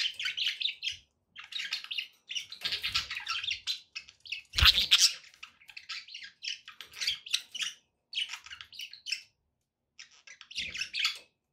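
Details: Budgerigars kept as pets sing to coax a parrot into eating and singing, a long stream of chattering, buzzy chirps in short bursts with gaps between them and one louder harsh burst near the middle.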